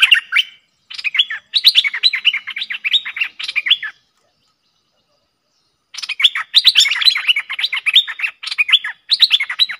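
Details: Streak-eared bulbul pair duelling fiercely in song, recorded 30 October 2021. Two bursts of rapid, chattering warbled phrases with quick rising and falling notes, split by a silent pause of about two seconds.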